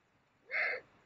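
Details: A short, raspy, wheezing screech from a Eurasian eagle-owl during mating on the Mosel, Germany, at the end of January 2022.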